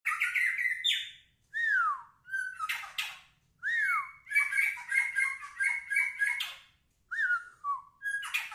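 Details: White-rumped shama (murai batu) in full, lively song: rich varied phrases of clear downslurred whistles mixed with rapid chattering trills and sharp buzzy notes, separated by brief pauses.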